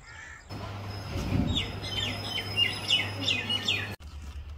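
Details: Common myna, also called Indian myna, singing: a quick run of sharp, slurred chirps and short whistled notes, roughly three per second, rising and falling in pitch over a steady low hum.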